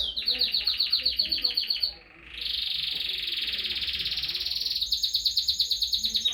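A canary sings high, rapid rolling trills, about four notes a second, breaking into a sustained bright buzzy roll before the quick trills resume.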